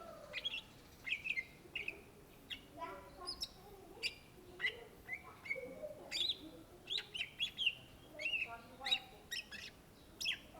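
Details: Greater green leafbird, called cucak ijo in Indonesia, in continuous gacor song: varied chattering phrases mixed with short whistled slurs and buzzy notes, repeated in a steady, energetic stream.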